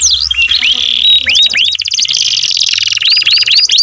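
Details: Canary singing loudly: swooping whistled notes lead into fast rolling trills, then a lower buzzy rattle and repeated upslurred whistles, over a faint low hum.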